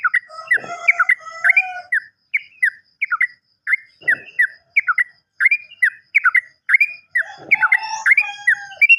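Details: Yellow-vented bulbul, played as a trigger sound for birds that have stopped singing: bubbly, gurgling two-note phrases repeated in quick bursts, with a few low thumps in the background.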